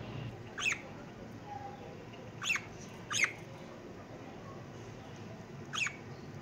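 A budgerigar gives short, scratchy chirps, spaced irregularly a second or more apart.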